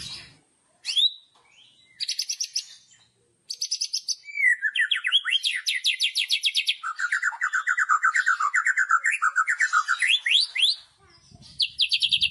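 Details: Loud kretekan of a white-rumped shama, a song style for provoking rival shamas: brief high rattles separated by gaps, then a long stream of fast trills and lower tumbling warbled notes.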